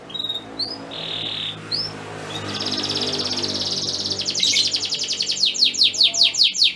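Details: Male canary kept for breeding sings to get a receptive female ready to mate; opens with soft rising whistles and a flat whistled note, then builds into a fast, loud rolling trill of repeated downslurred notes.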